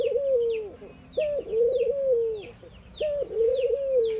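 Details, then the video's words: Morning cooing of ring-necked doves, Indian birds: a clipped upward note followed by a drawn-out, gently falling hum, given about every two seconds over a chorus of sharp little chirps from other birds. "Ringneckdoves calling sound !! Indian Birds Dove morning activity Doves cooing"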